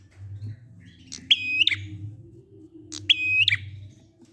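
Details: Ngalun song of a prinia, used to prompt stalled prinias to sing. Two bursts, each a click followed by a steady high whistle ending in sharp ticks, about two seconds apart, with a low humming background.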